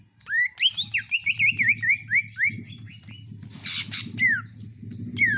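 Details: Greater green leafbird kept at home, singing in a mix with iora-like notes: a run of clear, bouncing whistled phrases near the same pitch, then a harsh burst and further rising whistles, over a steady low hum.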